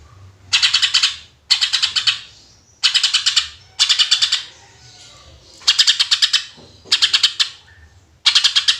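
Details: Greater green leafbird singing in the rapid "tembakan" style, played to lure other birds: six bursts of fast, sharp, rattling chips, each about half a second long, repeated roughly every second or so, over a faint low hum.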